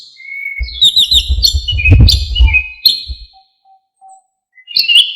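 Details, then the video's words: Orange-headed thrush singing energetically with a full, varied repertoire, used as a training recording for songbirds. The thrush gives high, rapidly shifting whistled and chirping notes, while heavy low thumping rumbles through the first three seconds. "KICAUAN ANIS KEMBANG GACOR FULL ISIAN"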